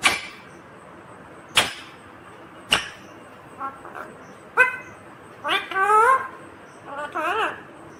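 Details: Indian ringneck parakeet talking: several sharp clicks and taps early on, then wavering, harmonic voice-like phrases with bending pitch toward the end, over a soft indoor background.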